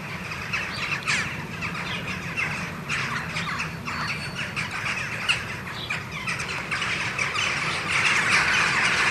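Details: Western jackdaws, hundreds strong, flying around Ringenberg Castle on a rainbow morning after arriving from their sleeping sites, filmed with a camcorder. Crowded chattering of short, scratchy calls that swells louder toward the end, over a soft low background hum.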